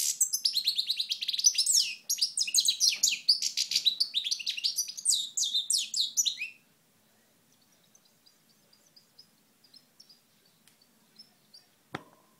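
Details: Recorded in Moknine, Tunisia, in 2012, a European goldfinch delivers a lively, dense twittering song of quick high chirps and trills for about six seconds, followed by quiet faint notes and a single click.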